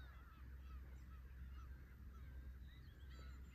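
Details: Numerous Black-tailed Gulls at a fishing port in Imabetsu, Aomori, crying in short, nasal, slurred notes that overlap irregularly, set against constant deep wave wash.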